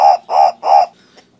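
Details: Green turaco (Tauraco persa) giving three rough, gruff, barking notes in quick, regular succession, each note about a fifth of a second long, over a quiet low background hum.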